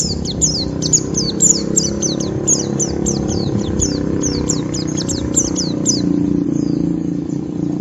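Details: Harsh ngeriwik by a white-eye provoking a rival bird: evenly paced, very high, sharp descending chirps repeated quickly for six seconds against constant low engine-like rumbling.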